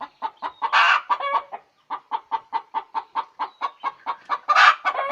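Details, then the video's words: Cackling hen after laying: a loud squawk, a short pause, then a steady series of clipped clucks ending in another long harsh squawk. "suara ayam bertelur"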